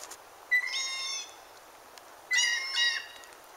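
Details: Blue jay uttering two clear, ringing notes with a steady pitch and bright overtones, each lasting about half a second and ending in a brief rougher flourish, over a quiet background.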